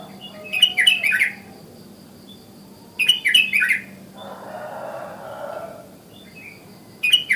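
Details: Wild sooty-headed bulbul calling in the morning to draw other bulbuls into calling. Short bubbly whistled phrases of several quick notes come about every three seconds, with a soft rushing noise in between.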